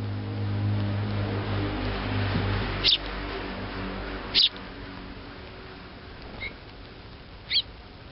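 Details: Fledgling Eurasian tree sparrow from Japan calling for its mother. Four brief, clipped high chirps, spaced one to three seconds apart, the third fainter. A constant low background drone runs underneath.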